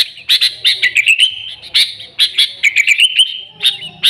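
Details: Sooty-headed bulbul, a lively singing bird recorded for luring its own kind: bursts of sharp, bright chirps repeated in quick pairs, with a short rising and falling warbled phrase in the middle and a quiet background.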